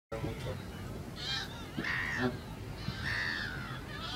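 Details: An Audouin's gull at the Albufera de Valencia, Spain, gives three hoarse, drawn-out nasal calls, each slightly falling, about a second apart, over a steady murmur of background noise and faint voices.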